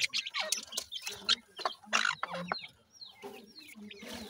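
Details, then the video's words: Francolin chicks, called teetar, give rapid bursts of high chirps and quick falling peeps. Short soft clucks sound between them, and some breathy noise is also heard. "baby teetar francolin chicks, partridge birds lovely awaz"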